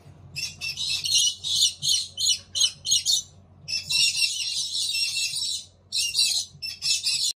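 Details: Collared lorikeet chicks in a nest box give harsh, hissing, raspy bursts in rapid runs, broken by short pauses, over a faint low hum.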